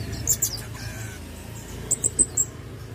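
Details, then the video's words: Pin-tailed parrotfinch (Erythrura prasina) singing very high, thin, short tinkling notes, two near the start and four in a quick run near the end, over faint low room noise. "Pin-tailed Parrot Finch Singing | Suara Burung Bondol Hijau Binglis"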